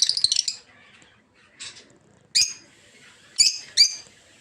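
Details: Rosy-faced, or peach-faced, lovebirds in a breeding aviary. Short bursts of shrill chatter are separated by near-quiet pauses, with a few isolated sharp squeaks toward the end.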